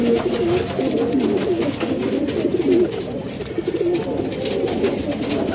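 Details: Hobby pigeons in a Pakistani house loft utter short, low, bubbling coos in quick succession, several birds calling over one another in a small indoor space.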